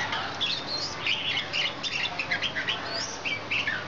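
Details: Red-whiskered bulbul (Pycnonotus jocosus) singing while fluffed up and fluttering its wings in display: a run of bright, bubbly chirps and short warbled phrases, mostly high-pitched, over light background hiss.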